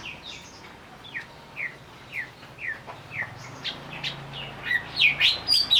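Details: Provoking lure of a greater green leafbird singing while agitated: a steady series of slurred downward whistles roughly twice a second, building into louder, sharper overlapping notes, with a faint low hum.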